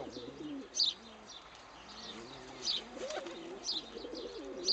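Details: Tame hen pigeon in an aviary coos softly in reply to being cooed and bowed at; low murmuring coos throughout, with high chirps from other small birds recurring.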